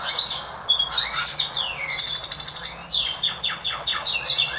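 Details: Goldfinch mule, a hybrid of goldfinch and Lizard canary, singing actively: rapid varied twittering with sweeping whistled slurs, buzzy trills and sharp high chirps in a continuous flowing phrase, with a faint low hum in the background.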